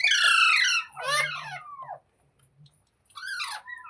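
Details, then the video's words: Green parrot, presented as talking: a long, loud, rich warbling call with sliding notes, a second wavering phrase, silence, then a shorter rising and falling call. "Green Parrot Talking | Funny Parrot Sounds Videos | मिट्ठू की आवाज़ | तोते की आवाज़"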